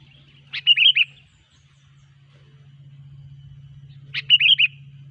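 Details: Sooty-headed bulbul singing for a trapping lure: two quick chortling phrases of three or four liquid whistled notes, separated by nearly four seconds of quiet except a steady low hum.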